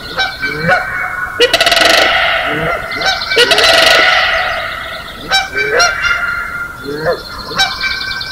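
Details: Early morning at Johnson Prairie, May 4, 2016: Canada Geese and Sandhill Cranes compete to make the most noise. Upslurred goose honks repeat irregularly, with two loud, harsh overlapping outbursts, all above a continuous high-pitched crane chorus echoing across the prairie.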